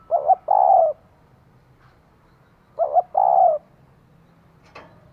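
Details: Spotted dove, a female urging a male, repeats her phrase twice: quick double coo then a sustained slightly falling coo, with a short click near the end.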